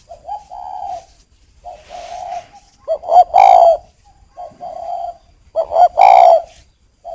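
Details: Caged spotted dove in a bird garden in northern Vietnam, cooing at a female: low, hoarse coos repeated in phrases, with two louder bursting coos near the middle and end, each phrase a few seconds apart.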